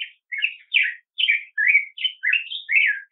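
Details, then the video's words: A black-headed grosbeak sings a continuous string of short, mellow whistled notes, each one bending up or down, tumbling along at a lively, uneven pace. "Black-headed Grosbeak Singing - Picogrueso Pechicafé Cantando"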